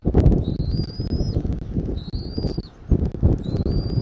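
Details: Bald eagle at the nest, Southwest Florida, 13 January 2024, early afternoon: three drawn-out, high, thin whistles, each nearly a second long and slowly rising, set against strong low wind rumble.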